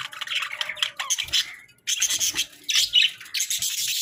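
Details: Hagoromo budgies (Budgerigar, Melopsittacus undulatus) warble and chirp in a busy, scratchy stream of high notes with brief pauses.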